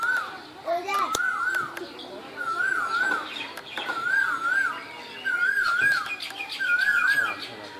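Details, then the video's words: Bangladeshi koel heard in spring: six rising-falling whistled notes in an even rhythm about every second, with high twittering birds and a few sharp clicks. "বসন্তের কোকিল, কোকিলের ডাক"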